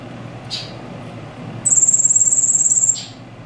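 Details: Silil singing: a short soft high note, then a thin buzzy trill held on one very high pitch for over a second, ending in another brief note, over a quiet background.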